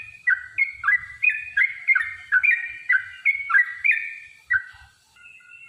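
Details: Yellow-vented bulbul in a long, rapid fighting song meant to set other bulbuls singing: bouncy paired whistles falling in pitch, delivered about three per second, ending in a quieter steady tone.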